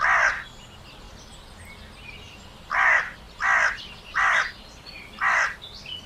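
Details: Crow calling: one harsh caw at the start, a pause, then four loud rasping caws spaced about half a second apart, with faint small-bird twittering underneath.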